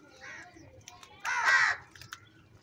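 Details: Crow fighting for food lets out a single strident, hoarse caw lasting about half a second, with softer calls before and after.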